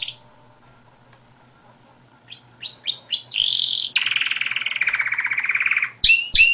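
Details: Singing canary: after a short pause, a few quick rising chirps lead into a rolling trill and a long fast buzzy tour, ending in sharp high chirps.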